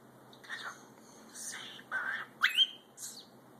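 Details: A male pet cockatiel gives a sharp, rising whistle between breathy, beatbox-like bursts while whistling the Super Mario tune, with his owner coaxing him.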